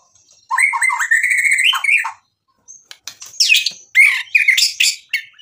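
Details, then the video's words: White-rumped shama singing vigorously, a song meant to provoke a rival into singing back, full of imitated 'isian' material: a run of clear whistled notes rising in pitch, a short pause, then harsh buzzy bursts and bright chirps. "MURAI BATU GACOR memancing EMOSI lawan jadi NYAUT GACOR BONGKAR MATERI ISIAN ampuh buat PANCINGAN"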